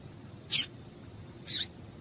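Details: Two thin, high chirps one second apart from a female double-collared seedeater, a call used to stir up a male; the first is sharper and louder. A steady high hum runs underneath.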